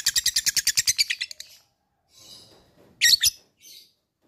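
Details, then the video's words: Labet calling to an opponent: a quick burst of a dozen high, clipped ticks that fade out, then silence broken by two short, loud rasping chirps and faint softer notes. "LABET memanggil lawan | ngetik ngekek fighter GACOR"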